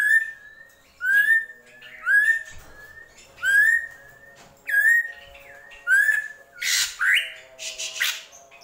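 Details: Drongo, known locally as srigunting krantil, giving a series of clear whistled notes that rise then slur, repeated roughly every second, with thin high overtones, ending in a few harsher, noisier phrases.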